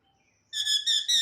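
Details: Parrot giving three harsh, high, harmonic-rich squawking notes in quick succession after a short quiet lead-in.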